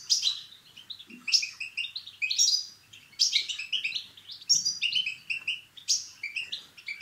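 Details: European goldfinch song, played to stimulate males to sing and mate: rapid, bright twittering of high chirps and short buzzy trills in bursts about every second, with liquid tinkling notes, over a quiet background.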